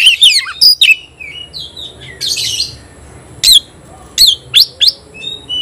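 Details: Oriental magpie-robin competing with a rival, giving steep falling whistles, a short scratchy burst, then spaced loud sharp notes and soft whistled phrases.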